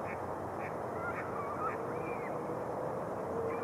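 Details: Spring flocks of mallards on thawing Rush Lake, Minnesota; short quacks repeat about every half second, joined by a few thin rising and falling whistled notes over continuous background rush.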